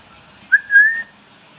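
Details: Pet Indian parrot kept at home giving one clear whistled note, starting with a brief sharp onset then holding a steady level tone for about half a second; quiet room otherwise.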